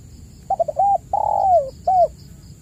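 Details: Lure recording of a spotted dove to stir reluctant caged doves: clipped stuttering notes, a long coo gliding downward, and a short rounded closing note, with a soft steady background hum.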